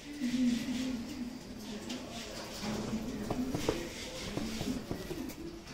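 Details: Domestic Siraji pigeons, a fancy breed from Lahore, making sustained low coos that bend upward, with clicks and soft shuffling in the background.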